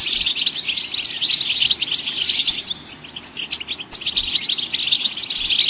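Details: Goldfinches singing to encourage other songbirds: an intense, continuous tinkling and buzzy twitter with a brief dip in loudness near the middle.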